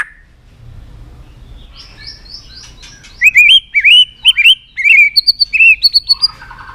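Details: Excited White-rumped shama singing with tail flicks on its perch. After soft high trills, a loud series of looping whistled notes repeats about twice a second, ending in higher whistles and a soft trill.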